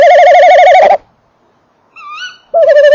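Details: Male tawny owl at a nest box on a December evening, microphone close to the box: a long, loud wavering tremolo note, a gap, a brief rising note with a soft, upslurred tail, then another strong quavering note begins.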